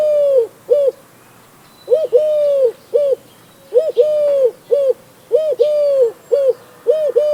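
A Eurasian collared dove gives its low, soft three-note coo, short-long-short, repeated about four times at an even pace with a faint background hiss.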